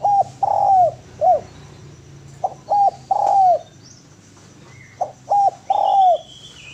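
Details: Spotted dove (derkuku, tekukur) singing a clean, lively cooing song used as a tutor recording: low mellow coos in phrases of short notes ending in a longer downslurred coo, heard three times, with faint high whistles of another bird.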